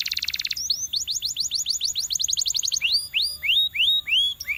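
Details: Trained canary singing: a buzzy high rattle opens, then a fast run of about fifteen quick upswept notes, followed by slower, rising whistled slurs repeated roughly twice a second, clean and without background sounds.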